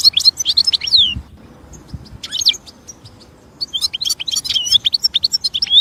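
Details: European goldfinch singing in the wild: sharp high twitters and descending whistled slurs, a quiet gap, then a long lively run of rapid, varied chirping notes to the end, with faint low background noise.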